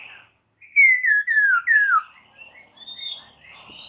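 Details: White-crested laughingthrush singing as a lure to set kept birds answering: four bold whistled phrases, each sliding downward, in quick succession, trailing into softer, higher chirps and whistles.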